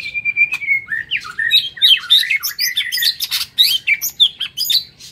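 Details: Morning song of a white-rumped shama kept in an aviary: a long level whistle, then a dense, fast run of varied chirps, trills and squeaky notes rising and falling without pause.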